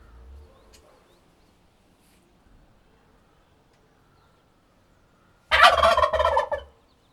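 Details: After several quiet seconds, a turkey bursts into a single rolling, gurgling gobble lasting about one second, loud and rapidly pulsed.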